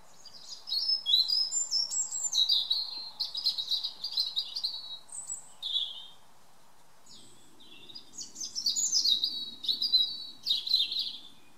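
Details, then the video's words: Evening song of a European robin in a garden, a run of varied high, tinkling phrases with quick trills and sliding notes, broken by short silences, then resuming with more rapid, bright warbles. "A Robin's evening song."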